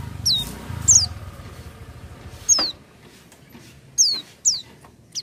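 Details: Oriental white-eye (pleci) singing without doping: scattered thin, high chirps sliding steeply downward, about six notes with irregular gaps, against faint background hum.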